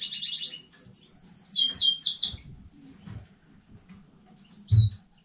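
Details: Canary from a newly bred home clutch, 15 May 2019, delivers a fast high rattling trill and a burst of loud, sharp repeated notes, then falls nearly silent apart from a single short note and a low thump.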